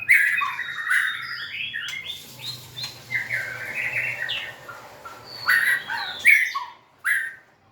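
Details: White-rumped shama songster, recorded in 2024 while wagging its tail and dancing: varied whistled notes and twittering chirps in uneven bursts, with louder sharp phrases near the end.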